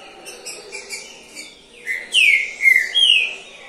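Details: Caged Trinca-ferro, a champion songbird that took third place in the season, singing clear whistled phrases: soft notes first, then loud slurred whistles falling and rising around the middle, with a man talking beforehand.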